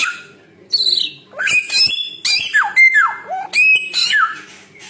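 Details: Samyong bird giving a lively medley: a brief whistle, then rapid phrases of harsh rasping notes and clear whistles that drop steeply in pitch, with short gaps between phrases.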